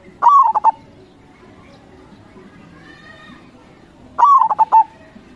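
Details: Local zebra dove, a gacor singer used as a lure, gives two coo phrases, each opening with a long gliding note and ending in a rolled series of brief pulses; a faint harmonic sound and hum between.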